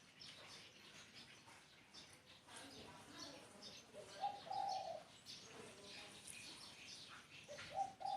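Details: Spotted dove cooing: a short low coo followed by a longer, rough, level coo near the middle, and a second phrase starting at the very end, amid steady high chirping from other small birds.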